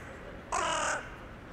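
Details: Crow living in a town centre calling on an evening, 23 January 2021, communicating with others flying in for the night; one harsh, half-second caw over a faint background hum.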